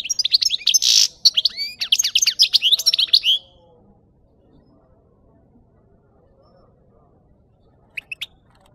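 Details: A European goldfinch, recorded for luring birds to capture, delivers a rapid, dense run of bright twittering and chattering notes for about three seconds. Near-silence follows, then two brief high notes near the end.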